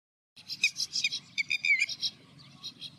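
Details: Red-wattled lapwing calling in the background while a little egret searches for fish; a run of sharp, shrill notes in quick succession, some slightly descending, with a low rumble underneath.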